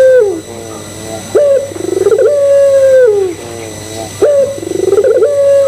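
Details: Barbary dove of the puter pelung type calling to provoke other doves to coo: two full phrases of a bubbling, stuttered lead-in followed by a sustained level hooting note, with a low steady hum beneath.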